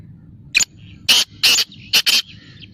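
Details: Loud grating call of a black francolin, a short note then two long rasping notes and a quick closing pair, with faint chirps behind.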